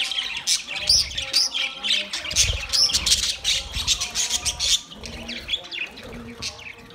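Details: Budgies eating soft food together, 3 October 2023: lively bursts of chirps and squawks, a few sharp high notes near the start, chatter thinning toward the end, with light wing-flutter sounds.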